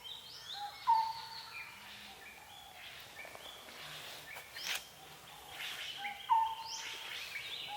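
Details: Forest birds in Sisaket, Thailand, with a loud short whistled note repeated twice several seconds apart amid softer chirps and scattered calls.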